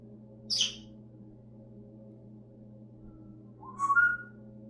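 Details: Pet parrot vocalizing indoors: a short high squeaky chirp, a pause of about three seconds, then a rising whistled note, over a steady low electrical hum.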